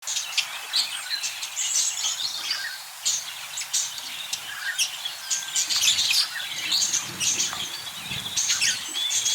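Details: Budgerigars, kept birds, chattering together: a dense, continuous stream of high, scratchy chirps, squeaks and short warbled notes from several birds at once, overlapping without pause for about nine seconds.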